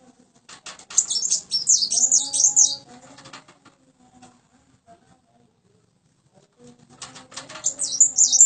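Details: Tame, active common iora in captivity: bursts of high, thin chattering and twittering notes, densely packed, separated by a quiet gap of several seconds, with faint low knocks and taps in between.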